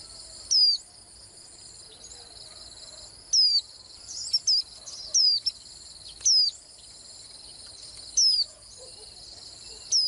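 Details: Swinhoe's white-eye, its song called melodious: a lively series of high, thin, downward-slurred notes with a few short extra chips, irregularly spaced about once every two seconds, over steady insect buzzing.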